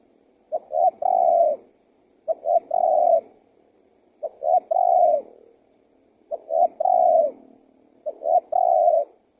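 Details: Lure recording of a spotted dove for attracting wild doves: five steady phrases, each two clipped low notes and a long, level, gently falling coo, repeated roughly every two seconds in otherwise quiet surroundings.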